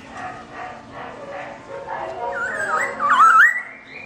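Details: Pet black-throated laughingthrush (Garrulax chinensis) left alone by its owner: low murmuring sounds give way to a clear, looping whistled phrase that climbs at the end.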